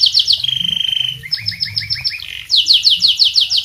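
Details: A canary in full song, used as a master song for other birds, sings fast, bright rolling trills: a quick run of high notes, a smooth sustained trill, then bursts of sharp chirps about three per second.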